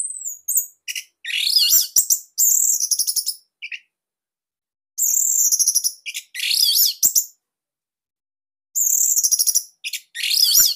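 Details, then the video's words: Strong, high song of an Orange-headed thrush of the Bali type, used as master material: three loud phrases of ringing whistles and buzzy trills, each two to three seconds long, separated by brief silences. "Kicauan ANIS MERAH Ini Cocok Buat Masteran Burung Sahabat Dirumah."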